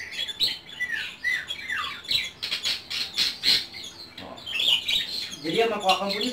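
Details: Home-kept white-rumped shama from Indonesia singing a varied run of whistled slurs and harsh chattering notes, high-pitched and uneven, ending in a rapid buzzy burst of stacked notes, with faint room echo.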